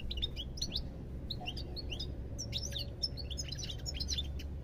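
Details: European goldfinch singing a dense run of bright, bouncy chirps and slurred twitters, nearly unbroken, with faint low hum in the background.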